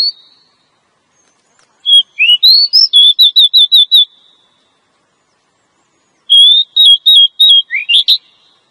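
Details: Female Oriental magpie-robin lure call for males: rising whistles leading into a rapid repeated series of short notes, a pause, then a similar series ending in a steep upward slur.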